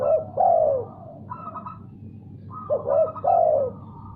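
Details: Spotted dove answering after a played sound, giving two coo phrases: quick clipped notes, then a drawn-out descending coo, with a faint steady tone and low hum between them.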